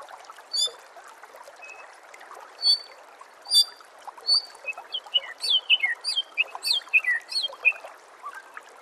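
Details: White-rumped shama master song for coaching songbirds: a few isolated high chips over a steady background hiss, then a rapid cascade of descending whistled notes.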